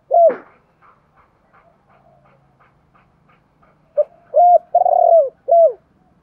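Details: Spotted dove call played to stimulate wild-caught birds: a low note, faint soft ticks, then a burst of short hoots and a long low coo near the end.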